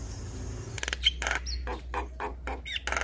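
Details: Javan myna song meant to draw a silent myna into singing: harsh raspy chatter notes repeated about three per second, with a short whistled slur, over a persistent low hum and hiss.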